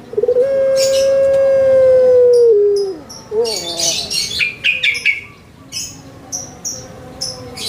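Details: Indonesian puter pelung, a kept Barbary dove, gives one long, steady drawn-out coo of about two seconds that falls at its close, followed by short wavering notes. Many small birds chirp and twitter afterward.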